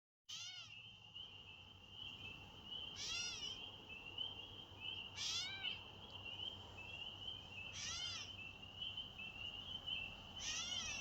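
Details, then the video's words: On May 1, 2024, a catbird gives five nasal, wailing, meow-like mews, each a slurred baby-like cry, spaced about two to three seconds apart over a steady high insect drone. "This Catbird Sounds Like a Baby"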